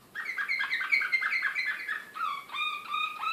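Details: Serbian Slavujar-style canary song, Belgrade 2016, from an excited bird: a fast, even rolling trill of short bright notes, then slower drawn-out whistled notes rising at their ends, clear against a quiet background.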